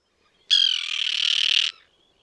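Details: Common tern in a small breeding colony with chicks on a concrete block near a sea mole, 1.5 km from the shore at Liepāja, Latvia, June 2024, filmed with a Nikon Coolpix P1000; one harsh, rasping call lasting just over a second, steady throughout.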